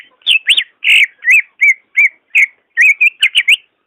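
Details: Greater green leafbird singing, meant to spur a lazy caged bird into song: a steady chain of about a dozen loud, looping whistled phrases, each swooping up and down, some clustered rapidly near the end.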